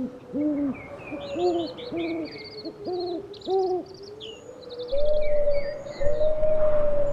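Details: Owl hooting in short, rounded notes at an uneven pace, then a long steady drawn-out tone. Busy high bird chatter and twitters fill the background, with a low rumble beneath.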